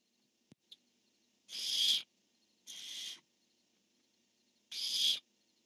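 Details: Barn owls recorded by a nest camera on 1 October 2015, a male calling and a female answering: three harsh, hissing screeches, each about half a second long, preceded by two faint clicks in an otherwise quiet setting.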